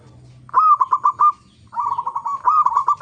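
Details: Local zebra dove song used as a lure recording to make other zebra doves sing: two bursts of rapid, bubbling cooing notes around one pitch, each a stuttering trill lasting about a second, with a quiet low hum before.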